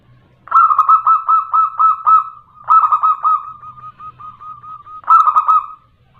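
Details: Local female zebra dove calling the male, a lure for caged birds: three loud, rapid, rolling bursts of staccato coo notes, with softer, evenly spaced notes between them.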